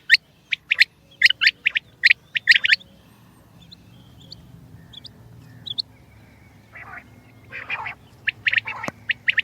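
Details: Common quail calling: a burst of sharp, clipped notes in quick pairs and triplets over the first three seconds, then softer, scattered notes and a few rougher, noisy bursts near the end.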